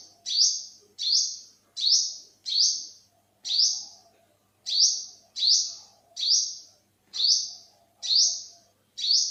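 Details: Olive-backed sunbird in Thailand, 2021, uttering around twelve piercing, rising buzzes in quick succession, with a brief pause midway and a faint low hum behind.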